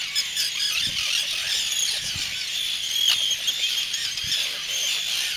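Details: Brooding Arctic tern returning to protect young chicks; a steady wash of piercing, squealing calls from numerous terns, with one clearer drawn-out cry about halfway through and faint low thumps underneath.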